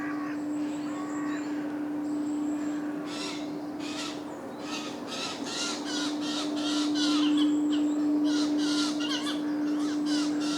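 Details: Eurasian Jays feeding chicks in Padarn Park woodlands in July, recorded with a drop rig: rapid series of harsh, rasping bursts repeated in a quick run, with thin whistled notes from other birds and a steady low electrical hum.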